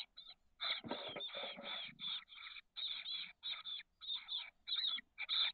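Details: Chestnut-backed chickadee nestlings, 13 days old, in a nest box on the SF Bay south peninsula, 30 May 2023, hatched 17–18 May. Harsh, raspy bursts repeat in quick irregular runs, with a soft scraping rustle near the start.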